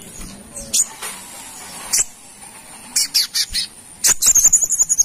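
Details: Brown-throated sunbird from Kalimantan, singing vigorously as a lure sound: scattered sharp clicks and short chirps, ending in a rapid run of thin, very high twittering notes.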